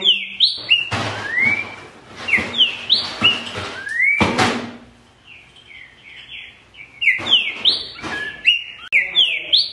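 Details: Green-winged saltator (Saltator similis) song: loud, clear whistled phrases of rising and falling slurred notes in quick runs, broken by sharp knocks and faint background noise.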